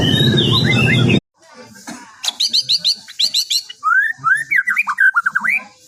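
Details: Chattering "bawel baceprot" song of a white-rumped shama, used as a lure to make other birds answer: after a second of loud noise, rapid chips and then a fast series of rising and falling whistled notes.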